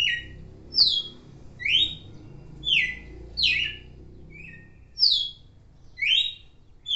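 Red-cowled cardinal singing bright, slurred whistled phrases, sweeping up and down, about one per second, with a low background hum.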